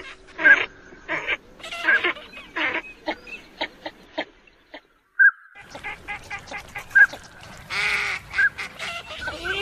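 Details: Eurasian teal giving crisp, short whistled calls at irregular intervals among grunting, quacking duck voices, with a short quiet pause midway and busier calling near the end.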